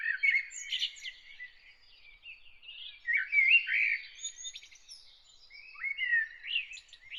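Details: Early-morning bird song, a lively run of twittering, slurred whistles and warbles in changing phrases with brief pauses, against a calm, quiet setting.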